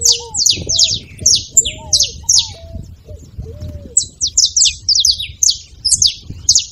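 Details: Saffron finch delivering rapid strings of bright, slurred chirps that thin out midway before speeding up again, to get another canary singing; hooked low whistles sound in the first half.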